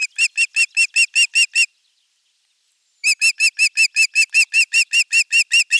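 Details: Osprey at its nest, filmed by a nest camera on 23 June 2020 in the morning, when a half-kilo crucian carp was brought as the morning fish; loud whistled chirping notes repeated rapidly in two bursts separated by a short silence.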